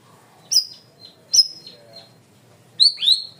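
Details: Cream-vented bulbul in a clear, loud training recording: two sharp high chirps with trailing tails, soft notes between, then a quick pair of upslurred whistles.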